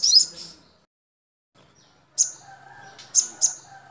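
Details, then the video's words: Sogon, a tutor recording for teaching captive sogon, gives very high, sharp chirps in quick clusters separated by short silences, over a faint low background hum. "MASTERAN SOGON"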